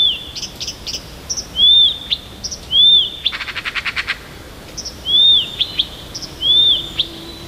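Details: Morning near Tomsk, Siberia: an unidentified small bird, perhaps a flycatcher or nightingale, sings varied high, arched whistles every second or so, with thin chips between and one dry buzzy rattle midway, against a quiet background.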